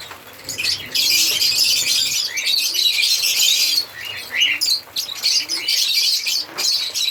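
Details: African lovebirds singing and chirping, a dense wash of high, harsh chirps and squeaky twitters from several birds at once, with brief quieter gaps and occasional wing flutters.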